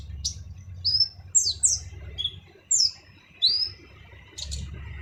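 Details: Kolibri ninja sunbird with a harsh voice, recorded to train other songbirds: scattered, very high chirps and rising slurred notes at irregular intervals, over a faint low rumble.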